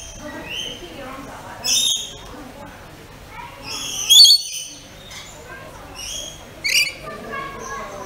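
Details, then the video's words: Pet rainbow lorikeets playing and eating, giving three harsh, shrill screeching bursts spaced about two to three seconds apart over a steady murmur of softer chattering. "Rainbow Lorikeet Making Calls"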